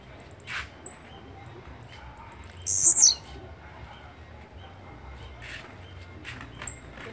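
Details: A single loud, high-pitched buzzy phrase from a blue-black grassquit, about half a second long, rises out of a quiet scene. Faint, thin bird chirps are scattered before and after it.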